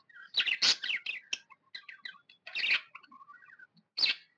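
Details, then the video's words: Happy pet budgerigar chirping: loud buzzy chatter bursts, a run of soft repeated peeps, and a final harsh squawk-like chirp. "Happy budgie chirping sound"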